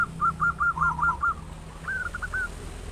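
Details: Local zebra dove with a loud, big voice, singing a song meant to stimulate other doves to sing. A rapid run of six short hooked coos, then a pause and three more rising-and-falling notes against low hum.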